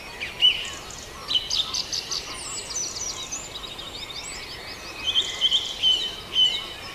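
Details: Farndale dawn chorus with overlapping birdsong: thin high whistles and fast trilled phrases from several birds, soft and distant, against constant background hiss.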